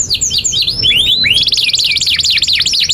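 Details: Canary in long 'gacor' song, used for training young canaries: a few scattered high swoops and rising slurs, then a rapid, regular trill of repeated zigzag notes running to the end.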